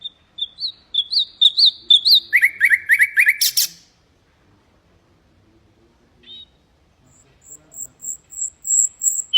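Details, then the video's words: Common nightingale singing, a recording meant to teach goldfinches and canaries: rising whistled notes repeated about twice a second, then a rapid run of buzzy chirps, a pause, and a thin, very high repeated whistle series. "تغريد طائر العندليب الحسنية"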